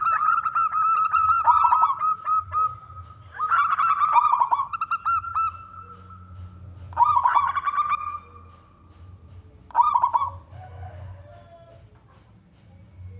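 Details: Local wild zebra dove, a persistent singer with a big voice, used to lure other doves into singing: loud rolling coos with fast trilled pulses and a steady held note in four bursts, with a low hum underneath.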